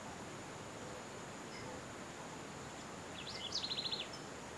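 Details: A Southern House Wren at a drinker in northeastern Brazil, in the dry summer after over 40 days without rain, gives a brief, high, bubbling burst of quick repeated notes near the end over outdoor hiss. It sings all year to mark territory.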